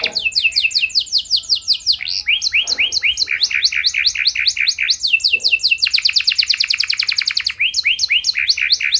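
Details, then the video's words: Canary pouring out a varied song of quick downslurred notes, repeated curved whistles and dense rattling trills that shift pace every second or two, with a couple of soft low knocks. "Burung Kenari gacor Nembak mantap! Buat Kenar Lain Bakal Langsung Respon Ikut Gacor Panjang"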